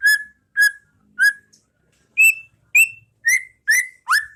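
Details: Training song of a White-rumped shama, pastol ngeplong style, meant for caged birds to imitate: a string of short pure whistles, with the first three lower and the later ones higher, ending in a rising slur.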